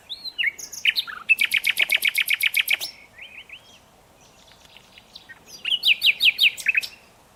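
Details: Nightingale song: a few slurred opening notes, then a long run of loud, rapidly repeated clicking notes about eight per second, a pause with faint notes, and a second fast repeated burst.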